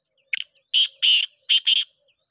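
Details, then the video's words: Black francolin (kala teetar) giving a call in the style known locally as shedi speeder: five loud, harsh, grating notes in quick succession, the middle ones longest, with short gaps between them and a quiet background. "Shedi Speeder Kala Teetar شیدی اسپیدرکالا تیتر"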